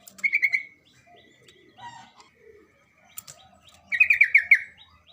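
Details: Sooty-headed bulbul giving energetic 'gacor' song as a lure for other birds: a short rapid ringing phrase, soft scattered chirps and a click, then a longer burst of fast, bubbling, slightly descending notes.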